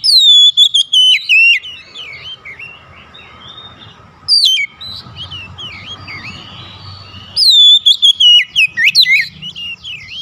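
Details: An Oriental magpie-robin calls to its fellows and another answers eagerly: runs of loud, quick whistled notes swooping up and down, three bouts separated by quieter, more distant warbling replies.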